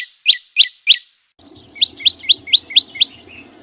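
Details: Chim sâu xanh calling: three loud rising whistled notes, a short silence, then a quicker run of six softer upslurred notes and a fading final whistle.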